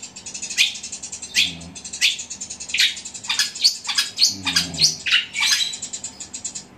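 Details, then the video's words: Loud, fast-rolling sparrow-like song of a long-tailed shrike in fighting style: sharp descending chirps repeated nearly twice a second over a steady high twittering background. "Cendet suara gereja tarung gacor roll speed tembak volume keras"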